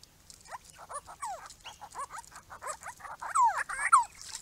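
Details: Grey-crowned babblers, one of a small group monitored visiting a purpose-built pond on a property: a busy run of nasal, down-slurred squeaky notes, many overlapping, quickening toward the end with louder doubled slurs.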